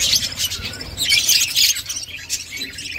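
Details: Budgerigar feeding chicks: fast, irregular rasping chirps, several a second, in a continuous noisy chatter.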